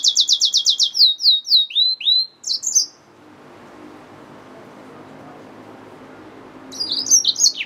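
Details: Yellow-fronted canary mule, a hybrid finch, singing a fast run of about a dozen high, sharp repeated notes that slide into downward slurred whistles. The song then falls silent for several seconds before a burst of buzzy, chattering notes returns.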